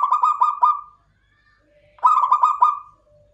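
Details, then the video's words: Local zebra dove (klowongan) delivering back-to-back cooing phrases. Each has quick throbbing notes and a trailing end, and a faint steady thin tone sounds in the gap between them. "PERKUTUT LOKAL KLOWONGAN"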